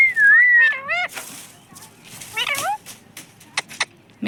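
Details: Talking parrot that says mummy papa. A long, smooth, wavering whistle comes first. Two bursts of rising, harsh, speech-like syllables follow, then sharp clicks and a few short calls against quiet background noise.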